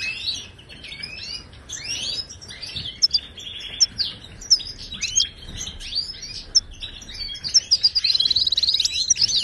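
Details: Training song of a wild Moroccan goldfinch, Ouidani style, used to tutor caged birds: a dense run of sweet twittered notes, with sharp accented chips near the end and a quick rattling trill.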